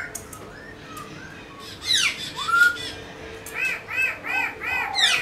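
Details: Captive black-throated laughingthrush in dancing song; soft whistles, then harsh sweeping notes and a loud rising whistle, followed by a series of rapid buzzy arched calls, recorded indoors.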